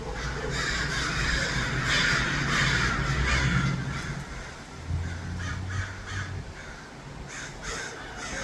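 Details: Lots of crows in Los Angeles cawing: a burst of overlapping harsh caws at first, then scattered single caws as low droning noise rises beneath.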